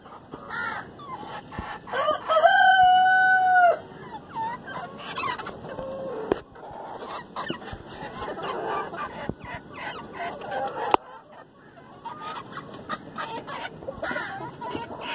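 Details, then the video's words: A black Rosecomb chicken gives one crow of about one and a half seconds with a steady drawn-out note. It sits amid continuous background rustle, clicks and scattered knocks before and after. "black rose comb"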